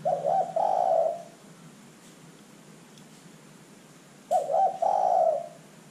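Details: Repeated spotted dove call used to lure other birds into calling: two phrases about four seconds apart, each a couple of short soft hoots and then a longer, low, vibrating coo, with a faint click between.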